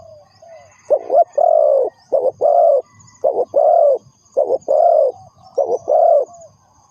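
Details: Repeated spotted dove phrases from a bird used as a lure for trapping. Each phrase is a brief coo, or two, and then a longer steady coo, about five phrases in quick succession with faint high background chirps.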